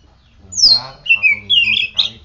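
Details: Kept oriental magpie-robin singing after morning sunning and morning dew care: a high whistle slurring down, then buzzy warbled phrases around the upper-middle range, repeated in bursts, while a man talks over the start.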